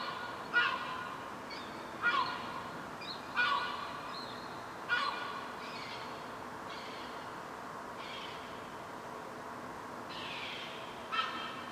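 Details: Gulls on a rooftop, with young fluffy chicks being fed by their mother, give harsh, rasping calls repeated in short bursts roughly every one to two seconds over a steady background hiss.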